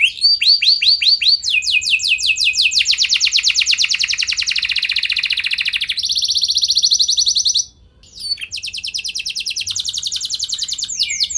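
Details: Prolific canary singing as a lure meant to make other canaries respond in any condition: fast rolling trills and buzzy stretches switching pitch every second or two, a brief break near the end, then more quick trills.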